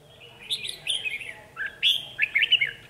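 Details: Red-whiskered bulbul used as a trapping decoy, singing vigorously: rich, slurred whistled phrases with quick upward and downward sweeps, delivered almost continuously, with a short pause midway.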